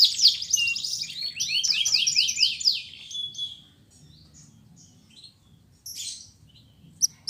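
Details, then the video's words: Canary song with pauses, used to stimulate canaries that have stopped singing: about three seconds of fast, high, chattering trills and zigzag notes, then near silence broken by a few faint chips. "PANCINGAN BURUNG KENARI GACOR ADA JEDA"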